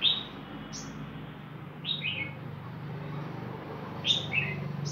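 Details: Caged female five-coloured sunbird, smaller-bodied than the male, hopping as pairing begins before the breeding season; brief high chirps, some in quick descending pairs, spaced about two seconds apart over a low steady hum.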